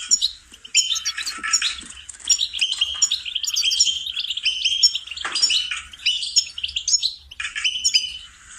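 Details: Goldfinch song for training songbirds: jangling phrases of sharp chirps and twittering trills, broken by short pauses, with a sudden harsh note partway through and a lively finish.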